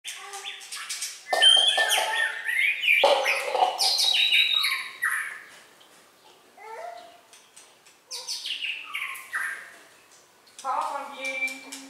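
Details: Red-whiskered bulbul singing in a lively contest style, bursts of bright whistled and chattering phrases sweeping between high and mid pitch, pausing briefly between bursts, with a low steady hum late in the recording.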